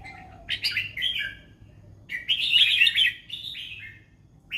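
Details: Red-whiskered bulbul singing in the fancy 'mae bot lak wai' style: a faint low whistle, then two rich, bubbling warbled phrases of rapid notes. The second phrase is long and loud.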